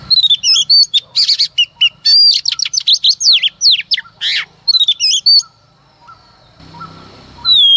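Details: Female Oriental magpie-robin singing in the early morning to provoke males: a rapid burst of loud whistled notes, rising and falling sweeps and harsh squawks over about five seconds, then a pause and a final clear whistle.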